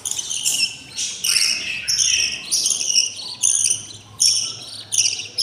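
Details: A nest of six very hungry budgerigar chicks, 20 days old, gives harsh scratchy begging rasps, loud bursts repeated a little more than once a second, with a faint low hum in the background.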